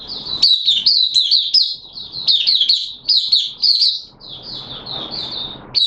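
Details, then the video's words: Caged oriental white-eye in open song on a wet day: fast, high-pitched twittering phrases with sharp upslurs, ending in softer, evenly spaced notes. "Mata Puteh T Rex Buka Sing"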